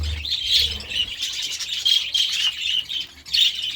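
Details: Budgerigars going wild for vegetables produce a clear, high warbling chatter of fast chirps and short whistles, rising and falling in loudness in waves.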